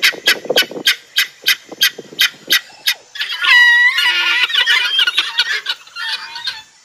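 Guineafowl give a fast, rattling run of harsh chattering notes, then loud grating, honking squawks.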